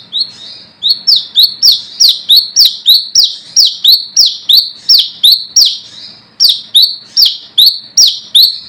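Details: Brown-throated sunbird calling rivals as a lure, wild-type: long unbroken string of piercing high chips, each sweeping down then up, about three per second, with one brief pause.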